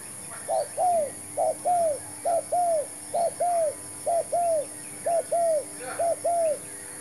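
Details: Spotted dove, a new decoy bird brought for trapping: steady series of paired coos, each a brief clipped note followed by a longer drawn-out arched one, repeated roughly every second for seven pairs, with quiet background hiss.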